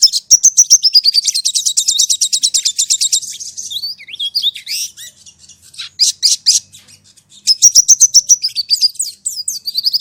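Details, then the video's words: Sogon bird, played as a lure so a caged sogon adapts to its own kind's voice; fast, high trilled runs of repeated notes, a brief pause with scattered sharp notes midway, then another quick rippling trill, clean background. "Pancingan Burung Sogon"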